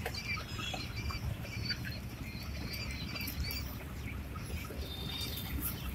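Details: Eight-day-old quail chicks chirp in quick high, thin peeps, several close together early on, then more scattered, over a constant low hum.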